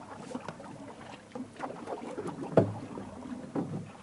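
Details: Paddle strokes and water splashes from a boat, with light wind and no animal voice.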